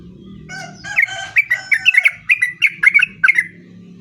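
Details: Long rolling sooty-headed bulbul song meant to prompt other bulbuls to answer. After a soft start it becomes a quick run of bright, chirping, slurred notes, each bursting in turn over roughly two and a half seconds, over a faint low hum.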